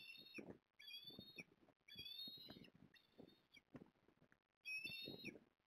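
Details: An osprey calls at Port Lincoln on 14 September 2022 while the male delivers a fish to the female: high, piercing whistled notes in half-second bursts, about five bursts, with scuffling low knocks and rustles beneath.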